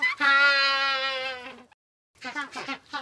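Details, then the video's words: Penguins in a group: one long, steady, nasal bray lasting about a second and a half, a brief pause, then several short, choppy braying notes. "Group Of Penguins Sound Effect"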